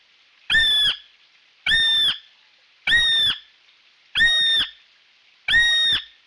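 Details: Male kiwi close by on the Rangitane Stream giving loud, shrill whistled calls: five strong notes about every 1.2 seconds, each a slightly rising then steady whistle, in otherwise quiet surroundings.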